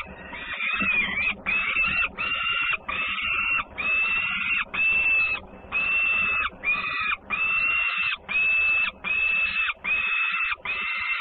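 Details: Peregrine falcon siblings at their Włocławec nest in Poland, 3 June 2010, at feeding as a sister returns with much noise: a steady run of about fourteen loud, grating wailed notes, nearly continuous, each under a second long.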